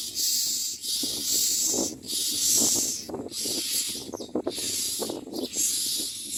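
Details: Common myna chicks screaming for food as they are fed in the mouth. They give harsh, hissing screeches in rapid bursts, about one per second, with a lower rasping chatter underneath.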